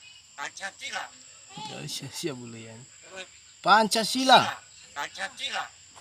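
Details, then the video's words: Pet Javan myna able to talk, uttering voice-like harmonic syllables in short groups, some low and drawn-out, others loud and clipped, with gaps between phrases and a steady high hum in the background. "BURUNG JALAK BISA NGOMONG"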